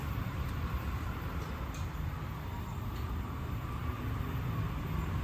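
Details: Steady low rumbling background noise like passing traffic, with no animal voice heard.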